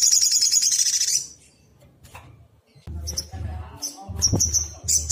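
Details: Sunbird (sogok ontong) singing agitatedly as a lure to draw replies. A dense, very high buzzing trill lasts about a second, then a pause, then clipped high notes and chips, with a low droning hum beneath.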